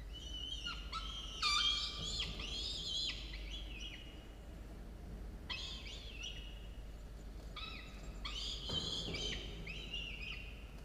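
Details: Falcon chicks, two of them aged 17 and 13 days, at a university nest site watched by camera, morning of 27 October 2022; three bursts of intense screechy wailing with falling inflections, separated by short pauses.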